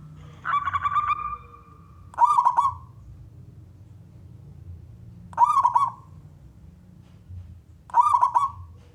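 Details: Local male zebra dove (perkutut) song used to coax other doves to sing: a buzzy opening note followed by three short rolling, bubbling phrases spaced about three seconds apart.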